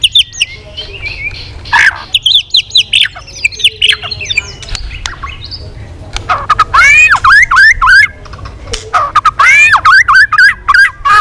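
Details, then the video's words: Tail-flicking White-rumped shama in sustained competitive song: varied warbled phrases giving way to loud, fast repeated looping whistles, several per second, in long rhythmic runs. "chòe Lửa đập đuôi hót đấu liên tục nhiều giọng"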